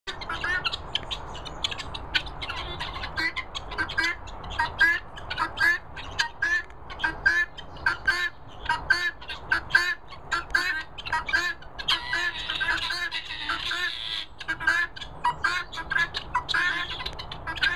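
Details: Young guineafowl keets let out into freedom and fed mealworms keep up a busy, overlapping chatter of sharp chirps and scratchy squawks.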